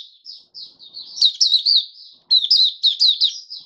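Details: A caged oriental white-eye sings 'buka sing' on the fifth day after monthly deworming, January 2022: soft, thin high notes at first, then two louder bursts of quick, tumbling twittered phrases.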